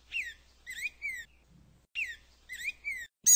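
Black-throated grosbeak singing a short phrase of three clear, slurred whistles, repeated after a pause, then ending in a sudden loud burst.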